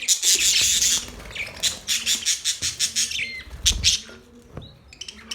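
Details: Budgerigars chirping: loud scratchy chatter at first, then a run of quick repeated chips and brief whistled upslurs fading toward the end.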